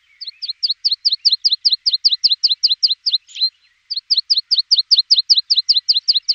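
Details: Javan bush lark song played as a tutor for untrained caged birds: evenly spaced, sharp high double chirps, repeated about three times a second in a long steady series with one short break.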